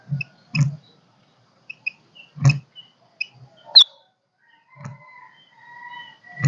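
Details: Golden-crested myna kích bổi song, with loud percussive clicks every second or two, small high chips, one sharp rising whistle, and a pair of sustained level whistled notes near the end.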